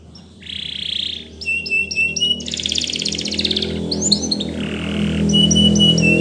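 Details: Spanish Timbrado canary training song with varied phrases: a flat buzzy note, quick repeated chips, a dense rattling trill and another buzzy note, over a steady low background hum and noise.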